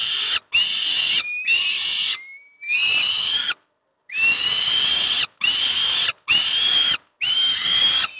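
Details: Young peregrine falcons at Moszna near Pruszków, Poland, begging while being fed breakfast: loud, drawn-out, harsh wailing screams, each about half a second to a second long, some rising slightly, repeated almost without pause in a steady series.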